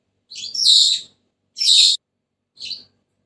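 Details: Raspy, scratchy squawks from a Senegal parrot: two strong harsh calls about a second apart, then a softer, shorter one. Quiet background.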